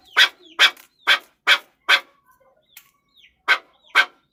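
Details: Chukar partridge giving loud raspy chuk notes in a regular run, a short pause midway with faint softer notes, then two more strong calls.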